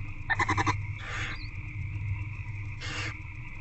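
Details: Barn owl hatchlings in an owl box at night, 8 February 2024 near 9:20 pm, begging as their mother feeds them; a quick stuttering pulsed rasp, then two separate breathy hisses, all over a steady mechanical hum.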